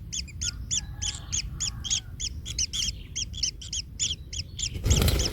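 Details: Kingfisher chick in its nest, trampled by a parent and in pain, gives sharp arched chirps about three or four per second. Steady low rumble underneath, and a burst of broadband noise near the end.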